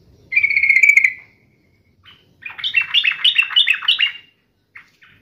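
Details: Agitated sooty-headed bulbul in fighting mode: a drawn-out clear whistle, then a lively bubbling phrase of rapid warbled notes and a few trailing chirps.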